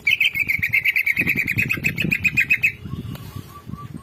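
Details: Greater green leafbird singing a fast run of chattering, buzzy notes, about two to three per second, for nearly three seconds, then stopping; soft low rumbling underneath and a few faint short whistles afterward.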